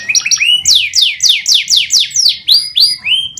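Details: Canary singing at length for a lively song session: a series of high, clear downslurred whistles about four per second, each sweeping down toward a steady tone, with brief chirps between.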